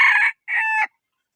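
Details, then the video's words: Rooster finishing a crow: a loud harsh note, a brief gap, then a long drawn-out final note that holds steady and drops at the end, followed by silence. "Suab qaib qua zoo heev"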